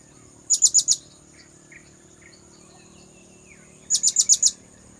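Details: Two tight clusters of shrill, very high notes, four then five, from a blue-crowned hanging parrot lure call, about three seconds apart, with a few soft bird chirps between.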